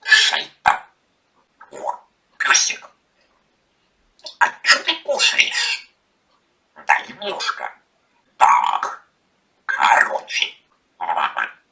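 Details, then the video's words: Pet parrot talking indoors, said to be insulting its owner: short bursts of speech-like chatter with harsh, breathy syllables, separated by brief silences, in a small quiet room. "Попугай матершинник обзывает хозяйку The parrot is rude to the owner"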